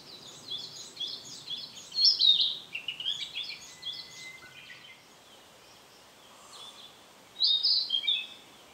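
Narcissus flycatcher giving high, thin chirps and short twittering notes in two bursts, with a quiet pause between and soft outdoor background hiss.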